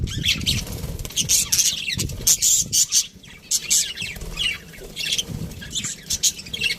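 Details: Aviary of budgies: a flock's busy high chatter of short buzzy chirps and squeaky notes in rapid bursts, some brief pauses, faint low rumble underneath.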